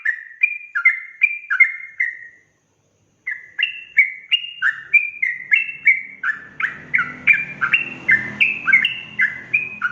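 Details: Yellow-vented bulbul singing a rapid, provoking song: a short phrase of rolling notes, a brief pause, then a long fast series of rising and falling chirps over growing low background rumble.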